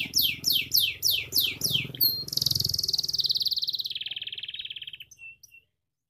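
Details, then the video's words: Canary song recorded in Pemalang, Central Java, Indonesia: seven quick descending whistled sweeps, then a long rapid buzzy trill that fades out with a few soft chips. "KERETA SENJA Kenari"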